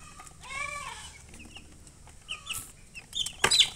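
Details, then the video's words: Young chickens calling: an early cluster of rising-falling tonal notes, then sparse high peeps and a few sharp noisy clicks toward the end. "Baby "Chicks Chirping" Sound"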